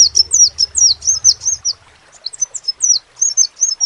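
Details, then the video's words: Crimson sunbird song of fast, thin, high downslurred notes, first in a tight run, then more spaced and varied, with a low hum fading early. "SEPAH RAJA TERNYATA MEMPUNYAI KELEBIHAN DARI SEGI SUARA NYA YANG KHAS"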